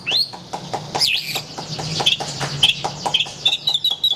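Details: White-rumped shama (murai batu) in gacor song: a rising whistle, sharp swooping notes, then a run of short high piping notes repeated several times over a soft noisy background.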